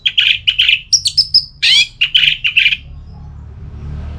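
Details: Orange-headed thrush in ngeplong style, meant to make a quiet thrush respond and sing: fast run of chirpy, rough notes with a few high thin whistles and a harsh burst midway, then fading to background hum.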